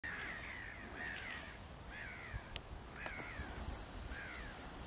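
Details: Bohemian waxwings at Liptovský Mikuláš, Slovakia, give high, thin buzzy trills in a loose series, with lower slurred notes every second or so over a steady rumble of background noise.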